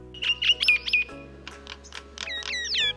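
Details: A Common Myna in India, a bird of human habitation and cultivation, runs through quick gurgling chatters and sharp, slurred whistles, about four notes a second, over a faint steady musical hum.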